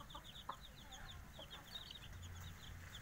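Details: Five-day-old Javanese village chicks (ayam kampung) giving many short, high, downslurred peeps that overlap in a busy stream throughout, over a steady low rumbling background noise.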